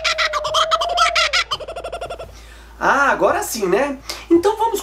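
Laughing Kookaburra in a raucous, rolling chorus of chuckling notes. Rapid hooting bursts rise and fall like laughter, with a man speaking over the start.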